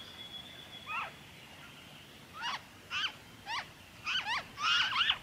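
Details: Noisy friarbird recorded in Victoria, Australia, in February 2023: a faint high steady whistle from another bird, then a quickening string of harsh, nasal, down-slurred notes ending in a louder cluster.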